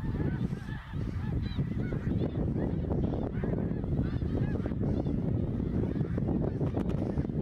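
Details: Migrating greater snow geese in the sky over Ottawa, Canada, fall 2021, in vast numbers; many clear, nasal, slightly rising honks overlap in a busy chorus above a steady deep roar.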